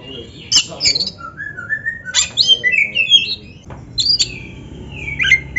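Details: Kacer (Oriental magpie-robin) full song used to train birds that are slow to sing: varied clear whistles, some sliding upward, mixed with sharp chips and a long descending whistle.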